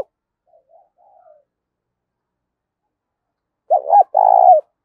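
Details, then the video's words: Spotted dove used as a decoy to attract wild doves: faint soft notes at first, then one loud phrase of two quick hollow notes and a long burry coo near the end. "tiếng cu mồi gáy kích bổi mỗi ngày"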